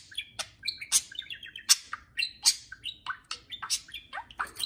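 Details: Free-flying household budgies calling to each other: a lively run of chirps, short whistles and scratchy squawks, roughly one or two per second, with bright high overtones and a quiet hum behind.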